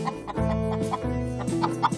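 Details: A hen, Sunny, gives her egg song after laying an egg inside a cat house: loud, abrupt clucks about every half second, rising to a sharper squawk, over steady background music.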